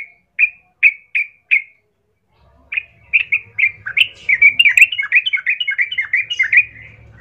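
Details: Sooty-headed bulbul song played as a lure to provoke other bulbuls to answer and fight: five short, clear chirped notes evenly spaced, a brief pause, then a fast, dense run of bubbly, warbled notes, with a faint low hum beneath.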